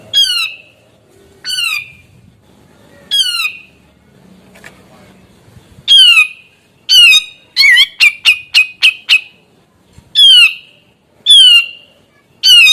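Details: Grey-cheeked bulbul in energetic gacor song, for stirring stressed or young birds to call too: spaced rasping downslurred squawks, a quick volley of six short sharp notes, then more squawks at roughly one-second intervals.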